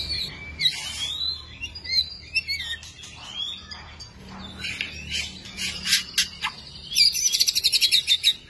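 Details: Long-tailed white-rumped shama, a kept songbird, singing varied phrases: sliding whistles, buzzy bursts and a quick run of repeated sharp notes near the end, with a faint low hum beneath.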